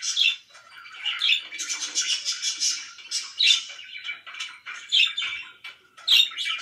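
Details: Budgerigar kept as a pet, very loud: bursts of shrill chirps and raspy warbles, with clear sharp peaks recurring every second or so amid continuous chatter.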